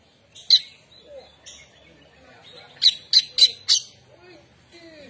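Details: Oriental magpie-robin, said to be still shy, sings only haltingly. It gives scattered sharp, high notes, then a quick burst of four bright chips, with soft lower whistles in between.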